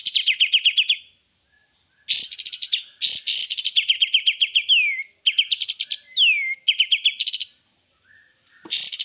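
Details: Energetic white-eye song, known locally as kapas tembak: fast runs of sharp repeated notes at about four per second, broken by brief silences, with a few swooping downslurred whistles mixed into the phrases.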